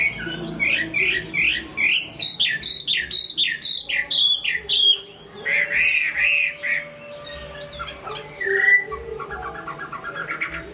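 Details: Chinese hwamei in good song, a bird from Hai Phong: loud rich whistled phrases, repeated looping notes sliding up and down, changing into varied warbles and a brief rapid trill at the end.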